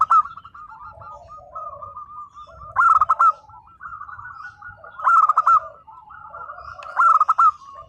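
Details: Singing local zebra dove in nembak style, giving three loud bursts of fast, clipped coo notes a little over two seconds apart, set against continuous soft rolling coos from nearby doves.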